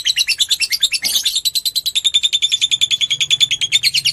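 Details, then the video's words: Fighter lovebird giving a long ngekek, a stimulating lure for other lovebirds: a brisk, regular rattle of harsh high notes with a thin whistled tone running through it, and a faint low hum behind. "pancingan love bird ngetik merangsang love bird ngekek panjang"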